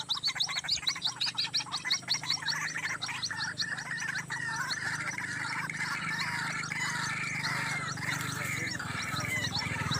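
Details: White-breasted waterhen calling beside a main road, recorded during trapping: harsh, gargling, croaking notes run together in a steady throbbing chorus, with a busy layer of high chirps from other birds over the first seconds.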